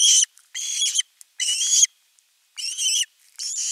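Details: Osprey at nest 3 on 10 August 2021, calling for fish: longer, harsher drawn-out whistled cries, each about half a second, separated by short gaps.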